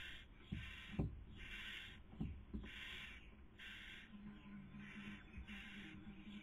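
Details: Nesting barn owls, female feeding and male trying to sleep, filmed by webcam in Cabañeros National Park, Spain, in the 2020 breeding season; six rasping hiss bursts in quick succession, mixed with dull knocks and scuffling.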